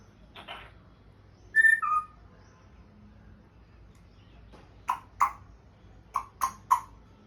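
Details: African grey parrot kept as a pet, trying to speak and making some sounds: a rough note, then a loud two-part whistled squawk, followed by five sharp, clipped calls in two quick groups.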